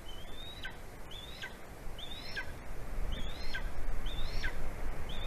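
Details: Golden eagle in Latvia, on 9 February 2020 at 11:09 AM, calling to its mate before mating on the right branch; thin rising whistled yelps, each ending in a quick downward slur, repeat about once a second over rushing background noise.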